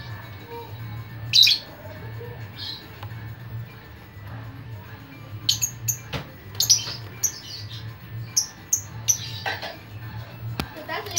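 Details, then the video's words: Chattering lovebird, its chatter used to lure other lovebirds: scattered sharp, shrill chirps and short squeaks, sparse at first and then clustering in the second half, over a steady low hum. "LOVE BIRD CEREWET DAN Memancing LOVE BIRD Yang Lain Pasti Ngikutin"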